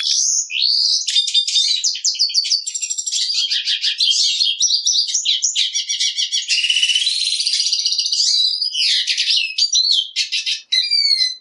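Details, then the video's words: Black siskin pouring out a long, unbroken, high, rapid warbling song of buzzy trills, chirps and swept whistles, dense and energetic throughout. "Negrillo Boliviano! Llamado! Sonido! Cantando! - Black Siskin Song - Spinus Atratus"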